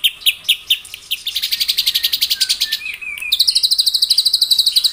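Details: Morning singing by a white-rumped shama to provoke rivals; a few loud separate chirps lead into rapid, even, machine-gun-like trills, rising slightly in pitch toward the end.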